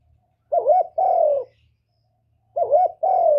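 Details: Decoy spotted dove calling, recorded to stimulate captive doves; two low, soft cooing phrases, each a short dipping coo followed by a longer, drawn-out one, with a silent gap between.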